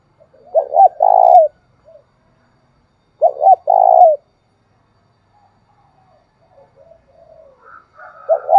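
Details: Spotted dove calling thúc bổi style to stimulate another dove: two full cooing phrases roughly 2.7 seconds apart, each two short notes and a longer vibrating coo, the start of a third at the end, with faint soft notes between.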